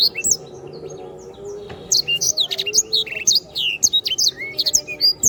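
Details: Canary in full, energetic song used as tutor audio for songbirds: quick bursts of bright, high chirps and slurred whistles in short phrases separated by brief gaps, with a soft low background hum.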